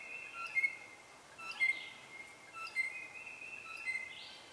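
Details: Southern Red-shouldered Hawk at a nest with young about to fledge, while an adult brings in food, apparently a snake. Thin, high, steady whistled notes repeat about once a second, with brief louder accents and rising upsweeps.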